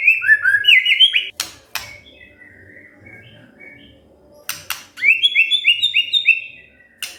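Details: Provoked white-rumped shama answering in lively song. Quick runs of rising whistled notes, a quieter stretch of soft warbles, then a fast series of repeated upslurred whistles, with sharp clicks in between.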